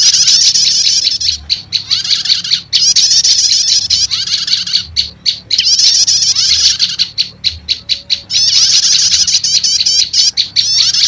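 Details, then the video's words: Prenjak lumut prinia lure sound mixed with prenjak setater, said to call wild prenjak lumut fast: long bursts of shrill, dense chattering alternate with quick series of crisp high chips and brief pauses. "Suara Pikat Burung PRENJAK LUMUT Kombinasi Prenjak Setater"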